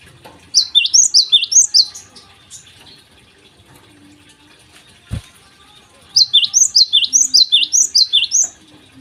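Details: Two bursts of Java sparrow song in the morning, each a rapid series of high, curling chip notes, separated by a quiet gap with a single sharp click.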